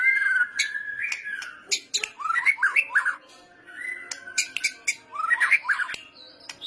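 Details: White-rumped shama singing vigorously, kretetan style, used as a training lure: rich fluting whistles alternating with fast tumbling chattering phrases and sharp clicking notes, repeated in two similar rounds.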